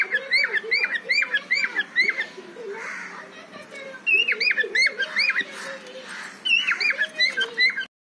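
A cockatiel sings a courtship call of rapid, looping whistled notes with warbling chatter.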